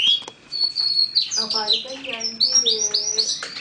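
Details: Young male canary, a Lizard x Roller cross about six months old, one of two males from the same nest, its song starting to become clear. High whistled notes and rapid twittering phrases, with fainter lower voice-like sounds underneath.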